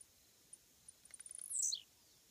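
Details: Blue-black grassquit on a roadside fence gives a single song. Scattered high ticks speed up into a rapid series, then break into a strong buzzy note that slides steeply down, over quiet surroundings.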